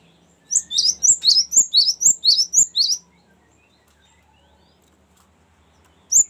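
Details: Cinereous tit singing its "ngerol" rolling phrase, used as a lure and for tutoring birds. A steady string of about ten high, piercing two-part notes, followed by quiet and a final note starting.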